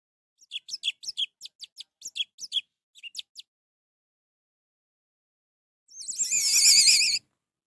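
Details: Orange-headed thrush recording meant to get a lazy bird singing: a string of sharp, evenly spaced high notes, then after a gap a dense, wavering burst of trilled whistles.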